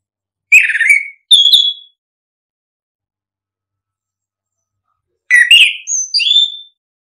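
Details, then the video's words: Orange-headed thrush singing ngeplong phrases meant to provoke silent birds: two short whistled notes, the second higher and steadier, then after a pause a paired group of slurred whistles ending in a clear high tone. "Pancingan anis kembang biar ngeplong, solusi burung malas bunyi"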